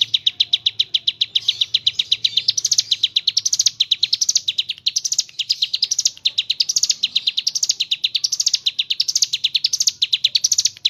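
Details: Long continuous gacor ngebren song of a mountain leaf warbler, with fast high ticking notes rising in repeated waves, kapas tembak filling.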